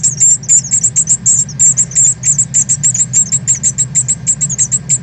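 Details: Northern cardinal fledglings leaving the nest, 13 August 2020, from a live stream: loud, steady series of high squeaky chirps, about three per second, nearly unbroken throughout over a faint low hum.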